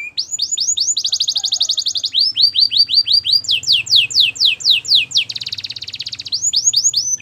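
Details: Belgian canary song for training: continuous loud rhythmic phrases of swept whistles and rolling trills, each note type repeated in quick series several times a second.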